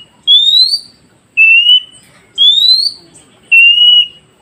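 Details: Oriental magpie-robin song used to coax newly caught wild forest birds into answering: four loud, pure, high whistles, each about half a second long, some rising and some level, spaced roughly a second apart over a quiet background.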